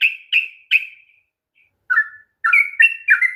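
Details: Sooty-headed bulbul song for provoking a quiet bird to sing: three bright chirps, a pause, then a fresh burst of whistled, slightly falling notes.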